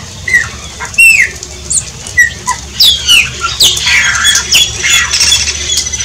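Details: Shiny cowbird song: clear falling whistles and short chirps early on, then a dense rush of bubbly, rising and falling notes and a drawn-out buzzy trill to the end.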